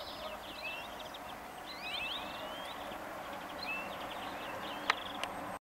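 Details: Several European greenfinches singing, recorded with a Sony HDR-PJ10E camera; rapid twittering trills and rising whistled sweeps, fairly faint over a steady background hiss, with two sharp clicks near the end.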